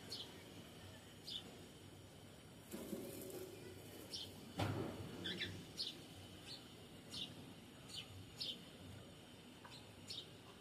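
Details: Cockatiel singing: short, faint, high, downward-sweeping chirps repeated every second or so, with soft rustling and a few low thumps beneath.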